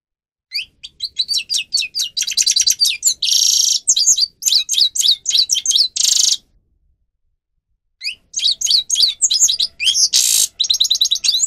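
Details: Singing grey-crowned goldfinch, Carduelis caniceps, a training recording for captive birds: long bursts of rapid twittering, buzzy trills and scratchy rattles, a pause of about two seconds, then the lively warbling resumes.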